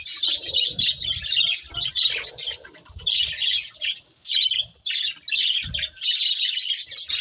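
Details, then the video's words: Budgerigars singing while eating: dense, buzzy, high chattering warble in bursts with short pauses, mixed with soft low thumps and rustles from feeding. "Beautiful Budgies Singing and Eating | Love Birds Chirping Sounds"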